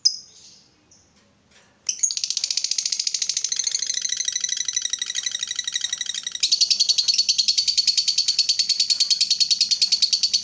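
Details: Lovebird fighter singing a long ngekek, used as a lure to make other lovebirds sing: after a brief chirp, a fast, unbroken chattering trill of rapid rattling notes runs for over eight seconds, brightening slightly midway.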